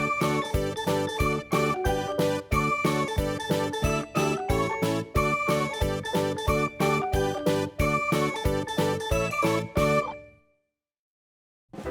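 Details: Bright, tinkling instrumental music with steady beats plays for ten seconds, then fades to near silence, with no animal voices heard.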